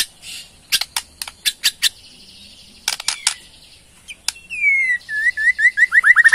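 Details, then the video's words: White-rumped shama from Borneo giving ketrekan: a burst of hard, dry ticking clicks, a pause, more clicks, then a rapid series of clear whistled notes sliding downward. "KETREKAN MURAI BORNEO BONGKAR ISIAN // SEKALI PUTAR AUTO RESPON"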